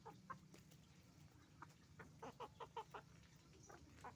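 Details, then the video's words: Hens and roosters at a chicken farm; series of short, evenly spaced clucks, about five in quick succession mid-recording, with sparse calls around them and a steady low hum. "Moment of the sound of a chicken farm, roosters and hens making noise"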